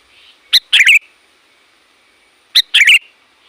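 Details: Loud sooty-headed bulbul calling to lure wild bulbuls: two bursts of clipped, bubbling chirps, each a sharp note then a rapid jumbled phrase, spaced two seconds apart against near silence.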